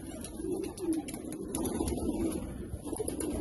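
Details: Soft, deep rolling coos from rare Australian pigeons, continuous and overlapping, with light scattered clicks behind.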